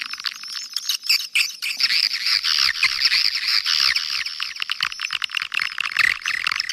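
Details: Swiftlet calling and roosting sounds from Kampar, Riau, played to attract swiftlets: quieter scattered chirps that build into a dense, high twittering chorus with rapid overlapping notes.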